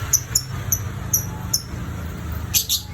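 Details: Lovebird whistling steadily: short, very high, thin chirps repeated at uneven intervals, with a brighter double chirp near the end, over a low steady hum.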